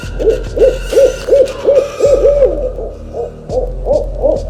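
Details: Quick series of short owl hoots, evenly paced at nearly three per second, continuing throughout with a brief lull, accompanied by faint background music.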